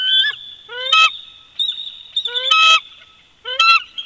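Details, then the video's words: Bald eagle pair duetting at an old nest snag at Big Bear Lake, California, in winter, February 2020, from a live nest camera: loud, high chittering bursts of rising, stacked piping notes, four quick groups in a few seconds. "BB🦅Duet In Winter❄️"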